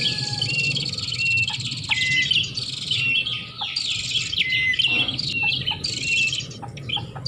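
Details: Prinia lure recording for attracting birds: continuous high, buzzy chattering with brief rising whistles, many rapid overlapping notes, and faint low hum beneath.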